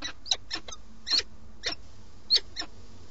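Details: Peregrine falcon pair at a nest on a live webcam in Alcalá de Henares, Madrid, Spain, 8 March 2017, during the male's snack: short, harsh, downward-sweeping calls, about six in three seconds at uneven intervals, over a steady low hum.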